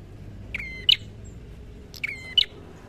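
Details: Red-headed prinia singing in fighting mode, called 'gacor tarung': two phrases, each a short tonal note near middle-high pitch with overtones followed by a sharp higher chip, about 1.5 seconds apart, over a faint low hum.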